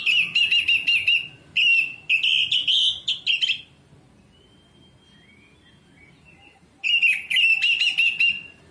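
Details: Orange-headed thrush (anis merah) singing: loud bursts of rapid, varied chattering notes around a rolling whistled trill, several phrases in quick succession, then a silence of about three seconds before the bird resumes with similar dense phrases.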